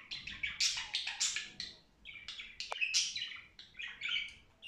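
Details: Budgerigar in cheerful song, a dense, continuous chattering warble of rapid high chirps, buzzy trills and squeaky notes, with one sharp click near the middle; indoors, no other sounds.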